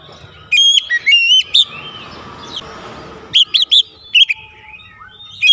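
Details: Oriental magpie-robin, known locally as kacer, singing for a therapy recording aimed at stimulating song: sharp, clear whistles in short groups, a softer warbled passage, then a few more bright notes.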